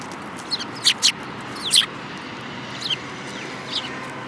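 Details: Sparrows, among them a yellow-beaked bird, recorded on 5 February 2018, giving a tight burst of loud chirps in the first two seconds, then a few fainter, softer notes afterwards.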